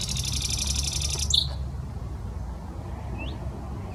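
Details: Nightingale in a Saint Petersburg park on the Smolenka: a dense, high, buzzy rattle lasting over a second, ending in a short whistled note, then a brief rising whistle amid low city rumble.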